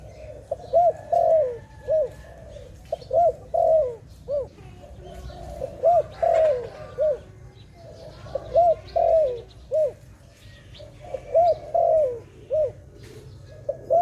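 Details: Steady series of dove coos over fourteen seconds: quick, trilled, hump-shaped notes mixed with longer downward-sliding ones, phrases returning about every two seconds, with soft low background noise throughout.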